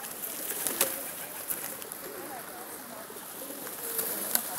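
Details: Pigeons cooing: soft, low, hollow notes that rise and fall in several short phrases, faint under steady high hiss with a few sharp clicks.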